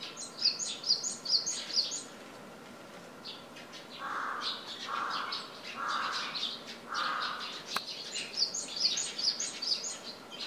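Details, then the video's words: Japanese tit at home, camera recording; bursts of high repeated two-part notes at the start and end, with four lower hoarse crow caws in between and a sharp click. "シジュウカラ/Parus minor"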